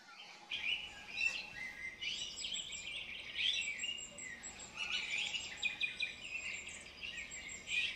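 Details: Female Eurasian golden oriole uttering a nearly continuous run of harsh, scratchy, chattering notes, dense and overlapping throughout, with no other clear sounds behind.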